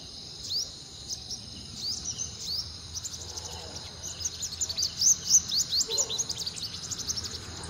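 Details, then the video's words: A sunbird in Uttarakhand, India, sings a rapid, very high, thin twitter of sharp squeaky notes, about four a second, that swells louder midway over a faint background hum. "Sunbird singing"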